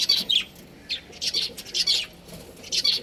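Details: Breeding pair of budgies giving harsh, high chirps in separate bursts about half a second long, spaced irregularly with quiet gaps between them.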